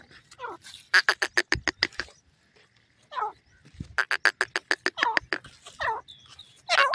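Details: Sindhi grey teetar, the grey francolin, feeding, giving bursts of rapid sharp clicking notes alternating with harsh descending squawks, separated by short pauses.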